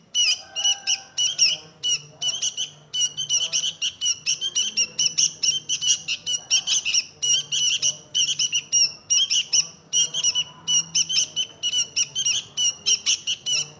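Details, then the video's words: Long sustained chattering from a sooty-headed bulbul, rapid harsh notes packed closely together throughout, over a steady faint low hum. "Burung Kutilang Sakti"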